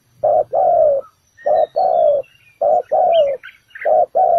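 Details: Spotted dove serving as a ground trap decoy, bổi thổ calls: four rhythmic short-long coo pairs, low and mellow, with thin high chirps from small birds in the background.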